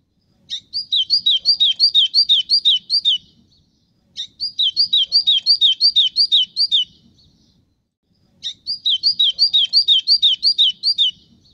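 White-throated seedeater singing three bright, rapid bursts of high slurred chirps, each about three seconds long and repeated every four seconds, against a quiet background.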